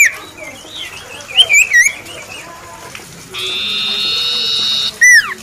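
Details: Champion cipoh, the common iora, sings a rambling sequence of warbled whistles. This leads into a long, even buzzy trill of about a second and a half, which ends abruptly in loud, steeply falling whistles.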